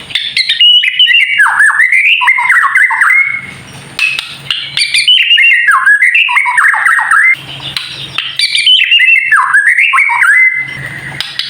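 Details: White-rumped shama, a kept bird, singing to provoke other birds into song: three bursts of rapid varied whistling and warbling, separated by short quieter gaps with low hum.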